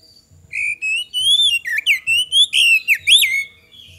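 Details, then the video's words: Lure song of a vigorously singing Oriental magpie-robin (kacer), meant to make other birds answer quickly. Long, clear rising whistles lead into looping, bending phrases and sharp upward flicks, over a faint low pulsing hum repeating roughly every half second. "PANCINGAN KACER GACOR AGAR CEPAT RESPON, PANCINGAN KACER BAHAN"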